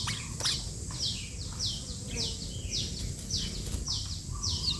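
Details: Sooty-headed bulbul singing actively: a steady series of about nine sharp, high, downward-sweeping chirps, roughly two per second, over low background rumble and a faint voice.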